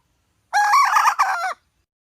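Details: Loud, harsh call from a hen red junglefowl, about one second long, in two joined parts with a brief dip in the middle, against a quiet background.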